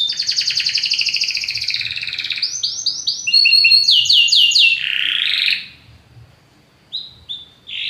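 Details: Belgian canary in strong song: a long rapid buzzing trill, then repeated swooping chip notes and a harsh rolling phrase, followed by a quiet gap and a few short closing notes.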